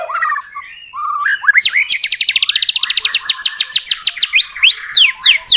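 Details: Shama lure song for a captive white-rumped shama that will not sing: a few low whistles, then a long fast series of loud downslurred notes, about four a second, ending in sweeping whistles.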